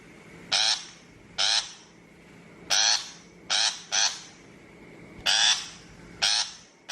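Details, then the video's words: Trapping-lure recording of a shrike: seven rough, buzzy, scratchy calls in irregular sequence, some close together, others nearly a second and a half apart, with a quiet droning hum underneath. "Tiếng chim bách thanh chuẩn mp3 cho loa bẫy 2023"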